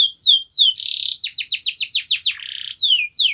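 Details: Loud canary song used to prompt other canaries to sing. It mixes falling whistled sweeps, a dense buzzy burst, and a quick run of descending chips, then another buzz and more sweeping whistles.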